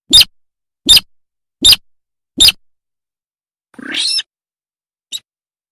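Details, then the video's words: Buff-banded rail, used as a daytime lure call, giving four loud, harsh, squeaky notes about every 0.8 seconds, then a rougher drawn-out note and a short final squeak. "Suara Pikat Burung Sintar Gedang - Sintar Padi - Buff-banded rail"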